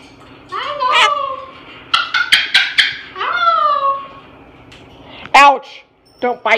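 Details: A pet parrot, swinging upside down, notices a Moluccan cockatoo and chatters in speech-like, rasping phrases with drawn-out falling notes, then gives a few sharp squawks near the end as it nips, in a quiet room.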